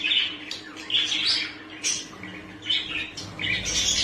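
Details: ['Common budgerigar giving a run of short, bright chirps and chattering notes in bursts, each rising and falling quickly, with a faint steady low hum underneath.']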